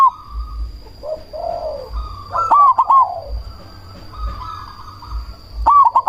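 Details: Zebra dove, cemani type, used as a lure to provoke calls from other doves; soft low coos, then a loud stuttered three-note burst near mid-clip and another at the end, low hum throughout.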